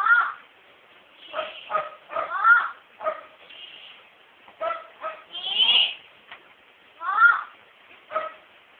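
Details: Pet female myna at home, imitating words often spoken around the household; a run of short, tonal, speech-like syllables with clear harmonics, some rising and falling, in bursts roughly every half second to second, with brief pauses and a quiet background.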